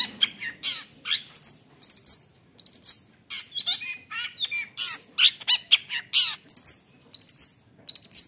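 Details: Long-tailed shrike with a fighter temperament singing a rich varied phrase: loud high whistles, harsh rasping bursts and fast chattering notes in quick succession, to provoke other shrikes.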